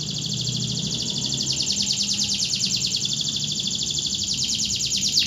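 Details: Local canary of Indonesia pouring out a continuous rapid trill of high, ringing notes, slightly irregular in rhythm, ending with a sharp downward sweep; low background hum throughout.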